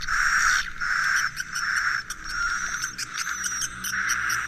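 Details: Swiftlet roosting-lure sound used by swiftlet farmers: dense chittering twitter with a steady high band, broken by rapid clicks and short pauses roughly every second, continuous throughout.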